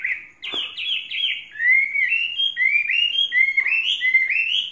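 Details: Caged Chinese hwamei, kept for three seasons, singing clear whistled notes: a sharp click, then a run of bright, upward-slurred whistles repeated in short series, loud and ringing.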